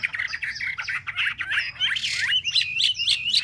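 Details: Chinese hwamei, caged for three months, gives a busy mix of rapid chattering notes and quick rising whistles, ending in a series of fast, bouncing phrases.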